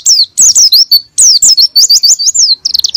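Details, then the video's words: Oriental white-eye singing loud, bright down-slurred and looping whistles in two quick bursts, ending in a clipped staccato stutter; a lure to prompt a lazy bird into ngalas and nembak song. "PANCINGAN PLECI MALAS BUNYI BIAR BISA GACOR NGALAS & NEMBAK"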